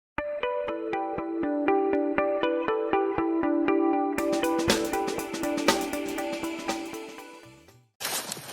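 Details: Plucked, echoing instrumental music with a rapid repeated note pattern, then a brighter strummed passage and a brief pause.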